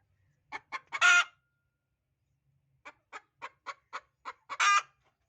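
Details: Hen noisy before laying an egg: three quick clucks build into a long grating cackle. After a pause comes a run of about eight rapid clucks, which ends in another prolonged, raspy cackle note.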